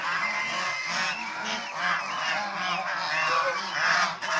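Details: Domestic swan goose (Chinese swan goose), shown playing, bathing, resting and fighting: a dense, continuous chorus of nasal, overlapping honks with rising and falling harmonics, several calls layered at once with no pauses.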